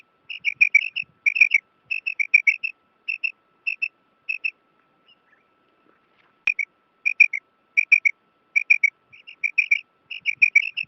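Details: Female common quail calling for a male: short, high, clipped notes in quick pairs and triplets, repeated steadily with brief pauses, over a faint steady electronic hum.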